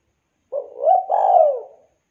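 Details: Spotted dove cooing to call companions, a single low phrase rising into a rounded note, then a long rough coo sliding downward. Silent background.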